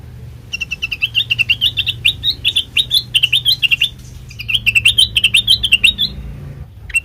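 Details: Sooty-headed bulbul song used as a lure for untrained birds: two long runs of rapid, lilting chirps that wobble up and down, with a short break between, over a soft low drone.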